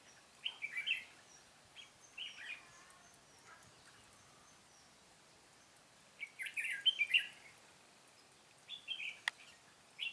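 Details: Trapped-area recording of a red-whiskered bulbul, 'Cánh bướm' type, 13 March 2017: scattered short whistled phrases, then a louder tumbling burst of notes mid-way and quick fragments near the end, with one sharp click.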